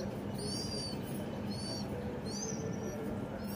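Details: House sparrow from a home, chirping three times in a few seconds, each note bright and arched, over steady low background hum.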